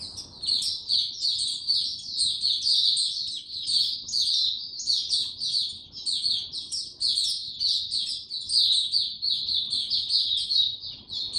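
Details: Captive white-eye, no health supplements given, singing on 29 April 2022: a sustained, high, rapid twittering of jumbled sweet notes and short trills with no pauses, over a soft low hum.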